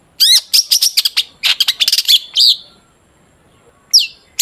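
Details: Long-tailed shrike song, used to lure shrikes into singing: a quick, bright tumble of high chirps and squeaks lasting about two seconds, then silence and a couple of single high squeaky notes.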